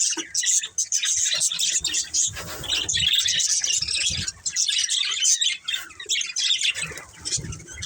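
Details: Budgerigars kept as a family flock chatter without pause, a dense layer of high chirps, squeaks and warbles over faint low thumps.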